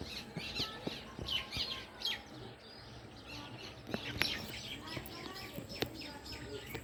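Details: House sparrows chirping in the evening: a busy overlapping chorus of short, sharp, high chirps in quick clusters, strongest in the first two seconds and again after four seconds, with scattered clicks and faint low background noise.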